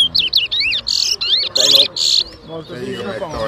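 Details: Chestnut-bellied seed finch (towa towa) singing in a bird whistling competition at Rosehall, Guyana, 2023: rapid, varied, high whistled and buzzy notes for two seconds, then people talking nearby.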